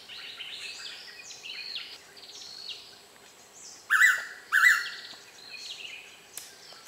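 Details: In Kaeng Krachan National Park, Thailand, a confiding Blue-winged Pitta perched close by repeats its call. After a busy chorus of other birds' slurred whistles comes one strong paired whistle, both notes alike and about half a second apart.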